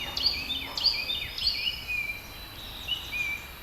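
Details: Birdsong in a backyard on a spring afternoon: thin high whistled phrases with sliding, descending strokes, several overlapping singers, set against a steady hiss of environmental noise.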